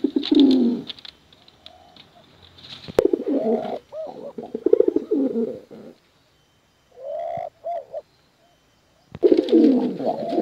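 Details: Male and female contest pigeons cooing: bursts of low, warbling coos with rising and falling tones, separated by short silent gaps, with faint clicks in between.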